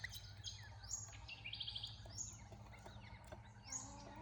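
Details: Western rosellas visiting a garden bird bath in Australia give brief, high chinking chirps and thin whistled notes, some overlapping, over a steady low rumble of background noise.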